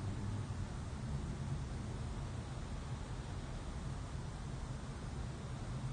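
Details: Steady low rumble of broadband noise throughout, with no animal calls.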